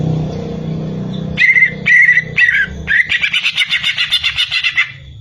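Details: Greater green leafbird (cucak ijo) gives four short, separate whistled notes, then breaks into a rapid chattering trill of about a dozen quick pulses, over a low steady hum.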